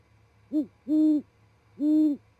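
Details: Great horned owl pair calling at 7:25 in the morning near Charlo, Montana, as the male reaches a perch before roosting: three deep, hollow hoots, a short one then two longer, even ones, over a low pulsing hum.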